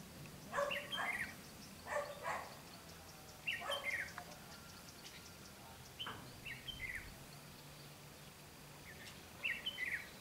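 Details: Red-whiskered bulbul at a bird trap on 12 August 2016. Short warbled phrases of clear, bubbling notes come in bursts every couple of seconds, with quiet pauses between them and faint background hiss.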